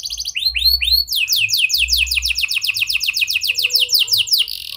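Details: Vigorous canary song in the prenjak and lovebird style, played to stimulate stalled canaries: several slower arched whistles give way to a fast, steady trill of high descending notes that runs to the end.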